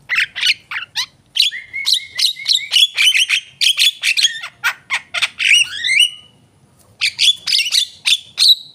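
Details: Javan myna delivering a long, fast sequence of squawky chatter and whistled slurs, pausing briefly before resuming with more rasping phrases.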